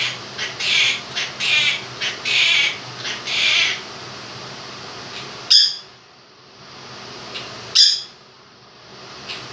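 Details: Pet Quaker parrot, a two-year-old male, voicing a run of scratchy high syllables from 'If You're Happy and You Know It', then two sharp isolated notes, with a fan whirring in the room.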